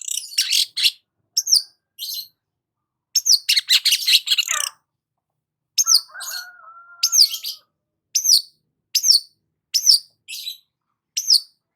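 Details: Long-tailed shrike singing while sunbathing at morning: harsh chattering bursts, a thin level whistle, then a steady series of sharp rising-falling notes spaced about a second apart.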